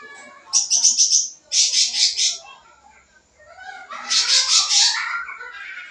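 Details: Sooty-headed bulbul in full, steady song with mixed-in phrases, used as a lure for young birds: a high thin whistle, then rapid harsh buzzy bursts in two runs of four to five pulses, a pause, and a longer rasping chattering phrase.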